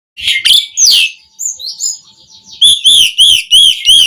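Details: Caged Asian pied starling in energetic full song meant to stir other caged birds to sing: harsh chattering notes, then a run of bright, repeated down-slurred whistles about twice a second.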